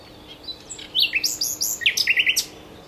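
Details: Common nightingale singing at Cowpen Bewley in 2012. A quick, varied phrase of high chirps and slurred notes, ending in a rapid run of sharp, ticking trills.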